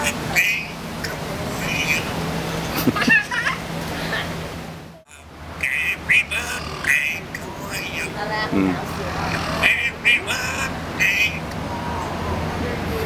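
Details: At a park, a pet African grey parrot mimics a human voice singing Happy Birthday in speech-like phrases, with a brief break midway and a low background hum.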